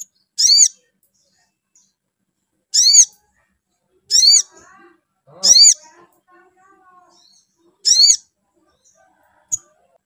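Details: Spiderhunter calls meant to rouse a bird into singing: strident, high, down-slurred notes repeated roughly every one to two seconds, with faint lower chatter between some of them.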